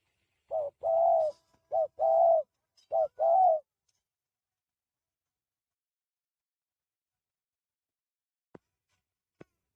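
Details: Spotted dove raised free-range, doing cooing practice: about six soft, rounded coo notes delivered in quick pairs over the first four seconds, followed by quiet broken only by two faint clicks.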